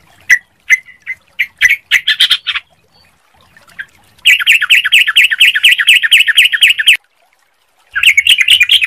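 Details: Sooty-headed bulbul used as a lure to prompt bulbuls to sing soon: scattered sharp notes build into a rattling burst, then a long fast run of repeated bright chirps, pause, and another rapid burst.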